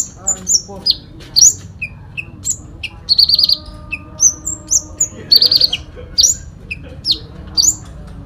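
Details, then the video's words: Sooty-headed bulbul giving a fighting song full of fill-in phrases: short bright whistled notes and sharp chirps, some sliding down, others in quick buzzy trills, bursting out every half second or so over a low steady background hum. "Konin Dacok full isian tarung"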